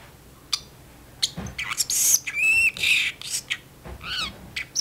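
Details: Pet parrotlet in its cage chatting back and forth with its owner in a kitchen, running through its learned words; sharp high squawks and chirps, a clear rising whistle, then a wavering descending trill.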